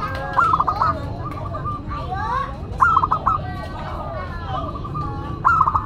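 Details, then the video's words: Local zebra dove singing a classic, unique song, kept as a lure and tutor bird: three loud phrases, each a rising opening note then a quick run of short cooing notes, about every two and a half seconds, with other doves and voices behind. "Perkutut Lokal Gacor Suara KLASIK Dan UNIK"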